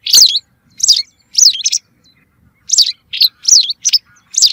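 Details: Hunting lure recording of a white wagtail: bright, high chirps with swooping pitch, some doubled, in two quick bursts separated by a short pause.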